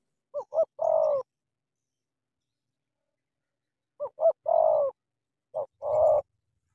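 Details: Spotted dove from Cà Mau, a "kèo thổ" bird clashing with a wild "bổi". Two short notes lead into a long, falling coo. The phrase comes twice, with a long quiet gap between them, and a shorter version ends the clip.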